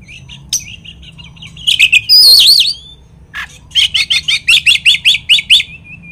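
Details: Oriental magpie-robin lure song, played to make rival birds agitated. Scattered chirps lead to a loud harsh swirl, then a rapid series of about ten identical sharp notes.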